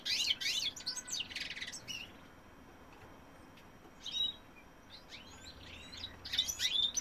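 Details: Male European goldfinch singing: rapid bursts of tinkling, twittering notes with quick high chirps, a two-second burst, a pause, then brief notes and another lively burst, over faint background hiss.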